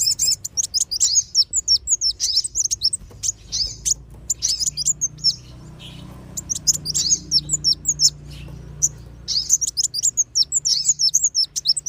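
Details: Sunbird lure call of kolibri wulung and sogon, played to bring wild birds down: rapid bursts of thin, very high chirps and twitters with a brief lull midway, over a faint low hum.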